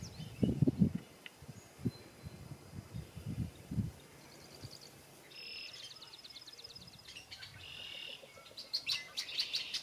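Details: Male red-winged blackbirds singing and displaying at the cattail marsh margins along the Roy Marsh rail trail, South Hero, Vermont: buzzy, rattling high trills, one after a pause, following several low thumps of wind or handling noise.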